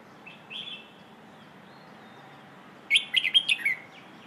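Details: Red-whiskered bulbul song in the pleng ho style, for training young birds: a faint whistled note early on, a long pause, then a burst of five rapid, clear warbled notes ending in a downward slur.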